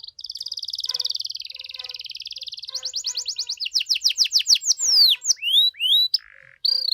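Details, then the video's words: Lively gacor canary song in the cengkok mewah style meant to provoke rival canaries into answering; a steady buzzy trill gives way to quicker rattles, downward-swooping whistles and a brief harsh note. "KENARI GACOR DOR CENGKOK MEWAH BIKIN KENARI LAIN LANGSUNG RESPON BUNYI GACOR"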